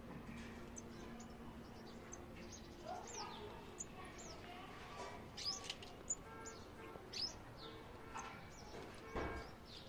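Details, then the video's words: A male sunbird parent and a baby that fell from the nest communicate: thin, high chirps and quick sweeping notes at irregular intervals over a steady low hum and background rustle. "male sunbird parent & baby sunbird communication after baby fall down"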